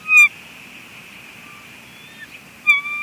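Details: Female bald eagle at a Two Harbors nest on 23 May 2020 vocalizing at her mate as he arrives, prompting him to leave the nest: two short, sharp, high squealing notes about two and a half seconds apart over a faint steady tone.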